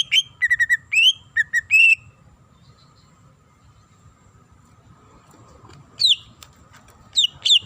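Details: A female greater green leafbird calling the male gives a short cluster of clear whistled notes, some rising, some flat, then falls silent before a few loud downslurred whistles return near the end.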